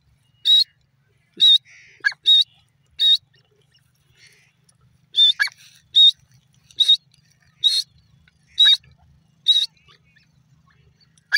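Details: Grey francolin giving a long series of sharp high whistled notes, some paired, spaced under a second apart, with a few softer lower calls mixed in.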